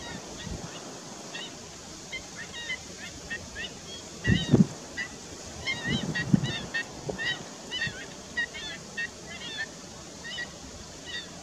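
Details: Black-winged stilts (Himantopus himantopus) yelp in sharp, nasal, goose-like 'kek' notes, fired off in quick irregular bursts by several birds at once, over low rumbles of wind.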